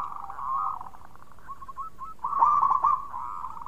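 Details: Zebra dove of local Indonesian stock, singing to lure other doves: low, quavering trilled cooing, a brief stutter of short notes, then a louder rolling burst.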